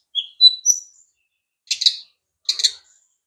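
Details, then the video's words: Brown-chested jungle flycatcher: a few high thin whistled notes followed by two short buzzy rattling bursts, quiet background. "SRDC sikatan rimba dada coklat"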